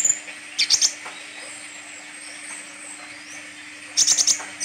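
A sunbird gives two quick bursts of very high, thin, sharp chirps about three seconds apart, over a steady high hiss and a low electrical hum.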